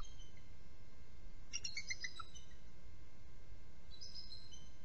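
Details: Nest-cam recording of a bald eagle from a trio during a nest changeover: one quick run of piercing, squeaky notes stepping downward, then a brief second burst near the end, over constant low rumble and a faint hum.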